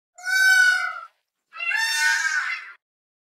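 Two loud, wailing peafowl calls about half a second apart. The first is clear and nasal, the second longer and harsher.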